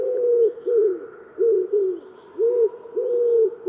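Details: Common wood pigeon song of deep, soft coos in a five-part phrase, the first syllable stressed, notes rising then falling slightly, repeated without pause over a faint background hum.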